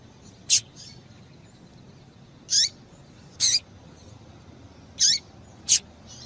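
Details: Double-collared seedeater female giving calls meant to prompt males into song: five bright, high chirps, some rising sharply, spaced roughly one second apart, with no other sounds.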